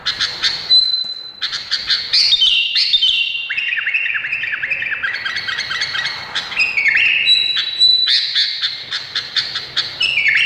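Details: Indonesian bulbul singing a dense, fast run of chattering notes, with clipped downslurred whistles and a few held high tones, phrases tumbling on nearly without pause.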